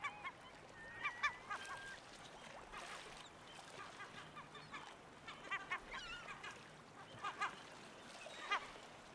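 Black Oystercatcher giving loud, sharp piping whistles in short bursts every second or two, over a hiss of surf or wind.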